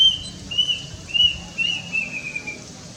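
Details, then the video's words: Kedasih whistling: about six high, slurred notes in a steady descending sequence, each roughly half a second apart, recorded with a Nikon Coolpix P900. "Suara Khas Si Burung Mitos (Pembawa Pesan Kematian) Wiwik Kelabu Atau Lebih Dikenal Dgn Nama Kedasih"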